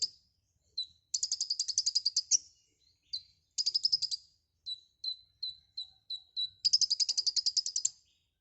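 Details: Lively full-repertoire singing of a white-rumped shama ('gacor full isian'): bursts of rapid buzzy chatter alternate with a series of short, evenly spaced descending whistles, ending in another fast chattering run.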